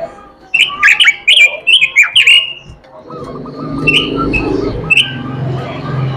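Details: Robin giving a melodious, lively song: a burst of sharp, rapidly warbled whistled phrases with quick up-and-down sweeps over about two seconds, then softer scattered notes over a low hum and faint tonal background sounds.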